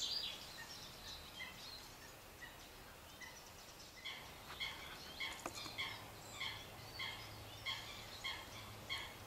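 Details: European goldfinch in the Harchies marshes, Belgium, in February 2011: a series of short, bright, tinkling call notes, repeated roughly twice a second, louder in the second half, over steady hissing background noise.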